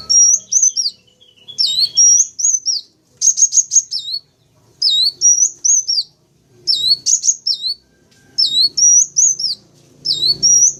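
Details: Attraction lure for wild wulung, kaca and jentit sunbirds: shrill chirp phrases of dipping notes, rising whistles and quick stuttered trills, repeated with short gaps, in quiet surroundings.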